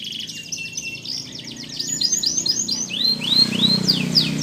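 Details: Canary song used to stimulate birds that have stopped singing: a fast rattling trill giving way to looping, arched whistled notes repeated about four times a second, over low background rumble.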